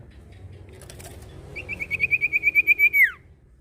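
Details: Common iora, Indonesia: a few clattering clicks, then a brisk level trill of roughly twelve ringing notes growing louder, ending in a short downward-swooping slur.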